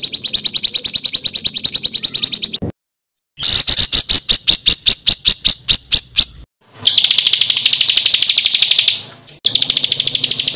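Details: Master recording of harsh rolling songbird material for training contest birds: high dense buzzy trills alternating with coarse rattling note series, separated by abrupt silent cuts.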